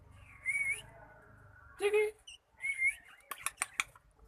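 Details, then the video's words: Cockatiel learning to sing: a few short, slightly wavering whistled notes separated by pauses, then a quick run of sharp clicks toward the end. "Cockatiel learn to sing"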